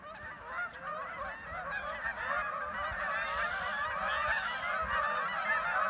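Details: Geese on a nature trail: a large flock honking continuously, dense overlapping nasal calls with no pause, steady background noise.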